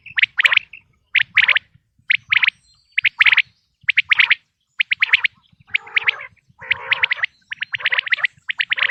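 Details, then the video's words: Quail sound recorded naturally for hunting in the 2026 season: sharp, high paired and tripled notes repeated about once a second, later joined by lower, grating, rattly calls. "بٹیر کی آواز"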